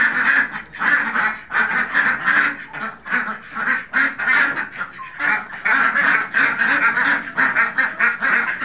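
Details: Farm flock of Khaki Campbell ducks quacking: busy runs of coarse, overlapping calls, dipping briefly near the middle before the chorus swells again.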